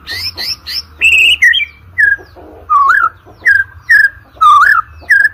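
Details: White-rumped shama singing, a recording meant to train birds for song contests: quick triple chirps, then loud varied whistles and rising-falling slurred phrases repeated roughly every half second over a faint hum.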